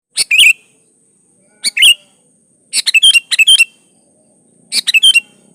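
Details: Sooty-headed bulbul singing freely, used as a lure to get other bulbuls to sing: four short bubbly phrases, each a clicky burst then a bright fluttering whistle, spaced about one to two seconds apart, over a faint steady high hiss.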